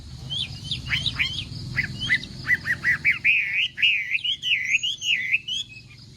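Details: Morning contest song of a Chinese hwamei: quick upward-flicked notes, then a rhythmic series of short whistles running into rolling, wavering whistled phrases, with a faint low hum beneath.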